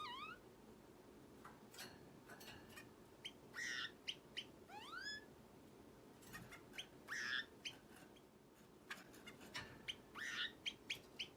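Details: Pet orange-cheeked waxbill indoors, its call likened to an alarm: thin, rising whistled notes at intervals, mixed with short sharp chirps, over a steady background hum.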